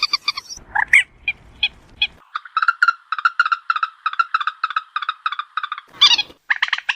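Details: Common moorhen, recorded for use in night trapping, giving harsh opening notes and then a rapid, even series of short clucking pulses at mid pitch, steady for several seconds before a sharp burst.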